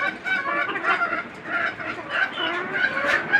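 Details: Desi hens on a farm of twenty-nine free-range layers; continuous chorus of murmured clucks and brief squawks from many birds.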